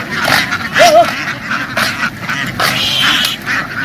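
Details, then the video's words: Farm ducks running into water and quickly jumping ashore in a field; a flock's busy quacking with one loud wavering call early on, amid splashing and rustling. "The ducks ran happily into the water and quickly jumped ashore, making a loud noise in the field."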